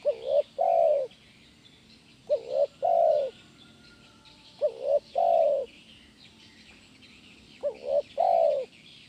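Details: Tekukur (spotted dove) giving kuk 1 gacor song for training birds. Deep soft coos fall in paired bursts, each a quick double note then a longer held note, repeated four times over faint high chirping.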